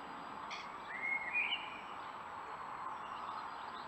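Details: Eurasian blue tit, angry and disturbed at being filmed, 12 April 2019: a short high rising-and-falling chirped phrase near the middle, over a steady background hiss.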